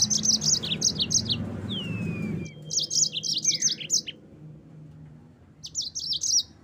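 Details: Mozambique (yellow-fronted) canary singing for training caged birds: bursts of high chirps and downslurred whistles, then a pause and more sharp notes in clusters, with a steady low rumble in the background for the first half.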